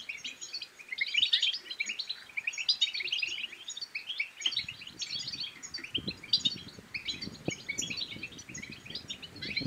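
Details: European goldfinch from Morocco singing to spur other goldfinches into song and mating; continuous rapid twittering and chattering trills, quiet at first beneath, then joined by rustling and low crackling background noise from midway.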